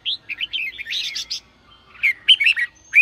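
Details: Red-whiskered bulbul singing in the sổ bọng style, played to spur newly caught birds into song: bright warbled chirps and slurred notes at mid-high pitch, a dense burst near one second, then separate rising whistled notes after a short pause.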